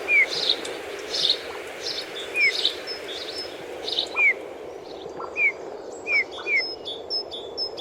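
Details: Eurasian bullfinches feeding on rowan berries in winter; soft, short whistled notes that slide downward, given irregularly every second or so, mixed with busier high chirps and thin, sharp high whistles from other birds.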